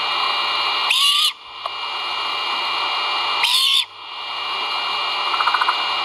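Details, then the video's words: Feeding-time calls of great horned owl chicks at a Skidaway nest on a live camera: two hoarse, hissing screeches about two and a half seconds apart, with a soft pattering at the end and steady hiss throughout. "FOOD. CHICKS VOCAL ) LIVE CAMERA GREAT HORNED OWLS NEST"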